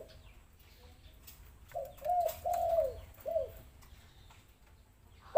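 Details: Spotted dove lure call meant to prompt lazy doves to sing: after a quiet start, three softer coos, the middle one longest, with a faint hiss in the background.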